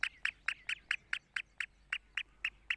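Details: Black francolin (kala teetar) calling: a long, even series of about twelve short, harsh, grating notes, one roughly every quarter second, steady in pitch and loudness, with a quiet background.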